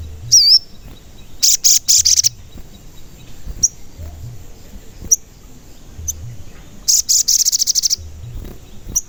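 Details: Sogon recorded as a lure to make other sogon sing and get agitated, described as giving 'cuit cuit' calls: sharp high chirps and short buzzy rattling trills in bursts, separated by quiet gaps, with faint low background rumble.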